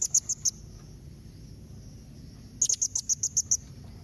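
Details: Blue-crowned hanging parrot calling to prompt other birds to answer: thin, very high, sharp squeaky notes, a quick burst of four, a pause of about two seconds, then a faster run of eight, over low background hum.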